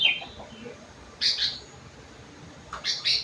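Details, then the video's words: Sooty-headed bulbul singing a song filled with rengganis and cucak wilis phrases: a sharp high chirp, then after a pause two short bright chirpy bursts, with a final pair of quick high twittering notes. "burung kutilang isian rengganis / cucak wilis"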